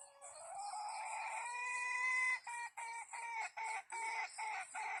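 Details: A red junglefowl crows while it is being trapped: a long rising, sustained note breaks into a quick stuttering run of short clipped syllables, with high insect trills throughout.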